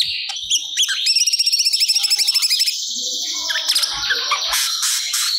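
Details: Cucak cungkok in strong song, bringing out stored material for training cage birds. A fast, regular chattering trill of about two seconds is followed by scratchy, buzzy, high-pitched phrases.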